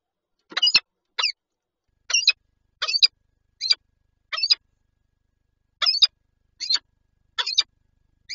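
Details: Peregrine falcon pair with eggs at a nest in Lublin, Poland, on 19 March 2022, giving high, rasping chips in irregular bursts, roughly forty a minute, with a short gap midway.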